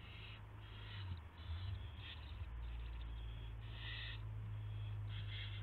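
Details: Night at an owl nest, 1:00 AM, 24 March 2016, during a gopher prey delivery; scattered harsh hissing bursts sit above a loud, steady droning hum.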